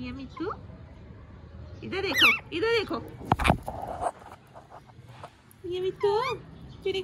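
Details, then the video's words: Pet parrot talking clearly, repeating short human-like phrases in bursts with gliding, harmonic syllables, some sharp high sweeps near the end; background music and occasional human voices. "Miya Mithu Chori Khani hai speaking clearly"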